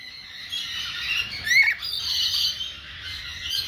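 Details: A red chattering lory at a bird farm gives harsh, raspy squawks with a brief rising whistle in the middle, over a steady hiss of other bird chatter.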